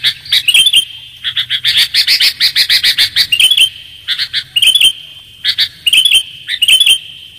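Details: Sooty-headed bulbul lure calls: a rapid, even string of about a dozen sharp chirps, then scattered bubbly two-part phrases, all bright and high, over a faint low hum.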